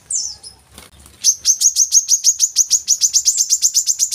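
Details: Brown-throated sunbird singing, as lure audio for young captive birds: an opening thin descending note, a quiet gap, then a long steady train of crisp high chips, about four per second.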